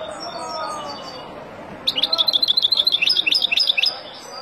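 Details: Wild European goldfinch song meant for teaching chicks: after faint background sound, a two-second run of rapid, liquid twittering notes, bright and high, about a dozen quick chirps.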